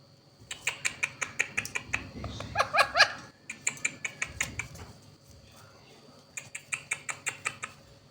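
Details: A talking pair of Indian ringneck parakeets indoors: bursts of rapid, sharp clicking syllables in quick runs, a louder harsh chattering phrase in the middle, then another run of clipped notes after a pause.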